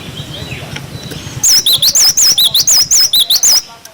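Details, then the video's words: After a low background murmur, a cinereous tit (glatik batu) bursts into its clear 'wucit wucit' song for tutoring young birds, about two seconds of swift, bouncing whistles alternating between two pitches. "Masteran glatik batu wucit wucit"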